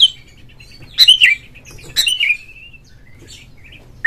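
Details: Oriental magpie-robin lure song to make a caged bird sing and fan its tail: two short phrases of sharp notes followed by long, sliding whistles, then a quiet gap with faint chirps.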